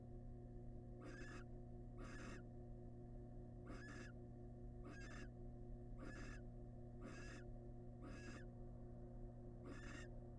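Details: Wild barn owls in a monitored nest box, the male bringing prey to the family: eight regular rasping hisses, evenly spaced about a second apart, over a persistent low hum.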